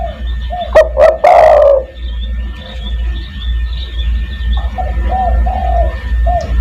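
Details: Spotted dove giving a lure call meant to draw in other doves: one phrase of two quick notes and a rough rolling coo, followed later by soft, distant repeated coos, with a low constant hum throughout.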